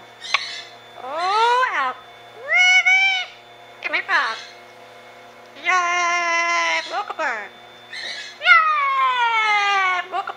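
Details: Ten-year-old female Amazon parrot talking and singing: a run of short swooping harmonic calls, then a long steady tonal phrase and a falling drawn-out note, with a faint low hum behind.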